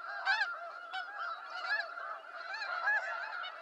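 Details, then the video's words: Snow geese give a dense chorus of nasal, yelping honks, many birds calling over one another in a continuous, overlapping clamor. "Snow Goose Sounds"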